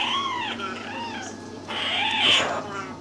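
A yellow-headed amazon gives two short, arching, nasal calls, then a longer, louder rising-and-falling one that sounds almost cat-like.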